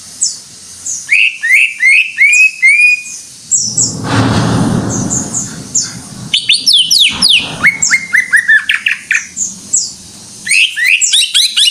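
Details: Greater green leafbird, known locally as cucak ijo, singing in full voice: rapid, varied sweeping whistles and chirps, some rising and some falling, delivered in fast bursts. A short broad noisy rush interrupts the song midway before it resumes.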